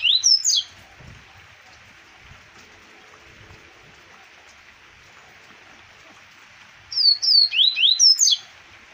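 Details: Double-collared seedeater from Arapiraca, Alagoas, Brazil, 2020, singing two bursts of rapid high sweeping whistled notes, one at the start and a longer one near the end, separated by about six seconds of near silence.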